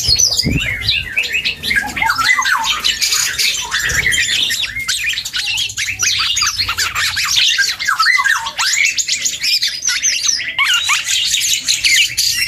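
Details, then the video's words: Young black-and-yellow oriole learning its song, chattering without pause in a fast, scratchy medley of clicks, squeaks and short rising and falling whistles, a couple of low thumps early on. "KEPODANG HUTANG muda||belajar ngoceh"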